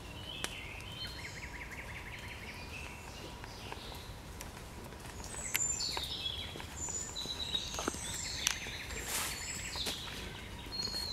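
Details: Nightingale singing in the evening on 9 June 2020: a run of short repeated whistled notes early on, then varied high chirps and sliding whistles later, over steady low background rumble with occasional clicks.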